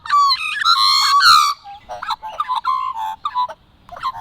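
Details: Australian magpies in song, filmed over a few months: a loud, rich, harmonic opening phrase, then a string of shorter warbled and fluting notes fading into quieter fragments.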